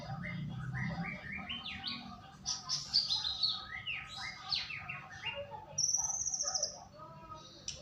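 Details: White-rumped shama singing on a lure track used to coax another bird to sing: varied fast chirps and whistles, then a long, very high sustained trill near the end.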